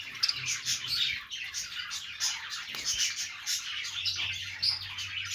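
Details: Happy budgies chirping as they play, a continuous bright twittering of quick high notes and scratchy trills, with a couple of sharp clicks and a low steady hum in the background.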